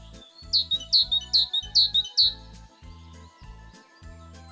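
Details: A tit singing in a winter forest, one of the wintering birds: five bright, high chirps, about two or three a second, then stopping, over a steady low thumping pulse and a faint hum.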